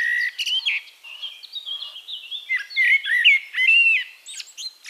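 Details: Eurasian blackbird singing at Castricum in the Netherlands: a continuous flowing stream of whistled, slurred notes, building to louder, richer fluting phrases in the second half, with thin high squeaks mixed in.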